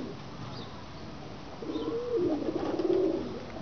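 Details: Kept pigeons in Pakistan: after a stretch of background hum, a low gurgling coo rises and rolls on for over a second, with a faint thin chirp earlier on.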